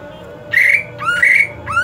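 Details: Greater green leafbird, in the hot season, giving three loud harsh notes with rich overtones: a buzzy note followed by two rising whistled sweeps, over a low steady background hum.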